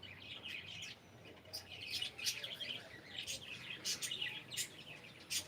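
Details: Cockatiel kept as a pet saying good morning: busy chirping and chattering in short bursts, peppered with crisp high ticks, rising and falling in loudness over several seconds.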